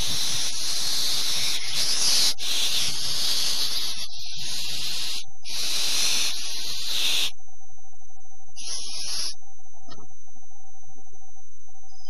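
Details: Almost grown barn owlets at a quiet dawn after a wet and windy night, October 2015; loud, harsh, breathy hisses in long bursts over the first seven seconds, then one shorter hiss, over a steady faint electrical tone.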